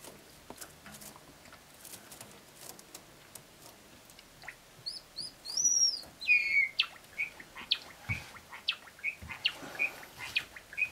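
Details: Caged male Java sparrow in Japan, recorded on 30 May 2017 while tearing apart his nest; a few sharp, bright chirps and a short trilled phrase amid rustling of straw and clicks.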